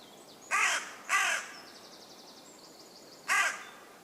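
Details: Wild common raven calling from a tree in a West Sussex woodland, England. Three loud, rasping croaks, two close together and one after a two-second gap, with faint high twittering from small birds between them.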